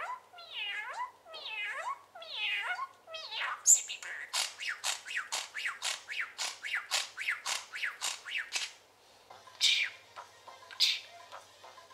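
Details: A male pet parakeet chatters in quick, warbling sweeps, then breaks into a fast run of sharp, repeated chirps and trills, ending with a few high, squeaky notes.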